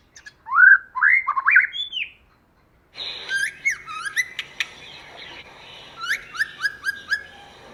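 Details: White-rumped shama song in forest style from a female bird: loud rising whistled notes in a short burst, a brief silence, then rapid clicks and repeated upslurred whistles over a faint background hiss.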